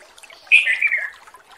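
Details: A wild male Sooty-headed bulbul calling to a female at Sancang gives one bright, liquid call that slurs downward over about half a second, with faint background chatter.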